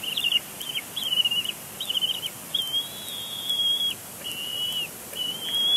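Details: Young bald eagle on the nest at Big Bear Lake, April 27, 2022, complaining loudly in its father's face during a tantrum; piercing high whistled squees, some short and wavering, others drawn out and level, repeated in a steady stream.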